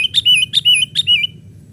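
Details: Young sooty-headed bulbul on a branch, played as a lure for wild birds: three clipped chirps, each sliding into a short wavering whistle, evenly spaced within about a second.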